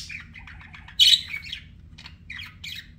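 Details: Pet budgies warble softly in a rapid run of buzzy notes, broken by one loud piercing squeak, followed by a few scattered chirps.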